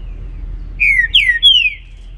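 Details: In the morning a green-winged saltator gives three clear slurred whistles, each gliding down in pitch, the second and third louder, over a soft low hum.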